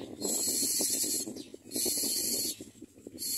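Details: Common myna at its nest while feeding its chicks gives harsh, hissing bursts about a second long, repeated three times, over softer low chattering notes.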